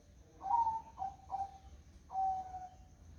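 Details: Zebra dove singing on a calm, foggy morning: four soft, tonal coo notes in quick sequence, the first two short and clipped, the last longer and slowly fading, with a quiet low rumble underneath.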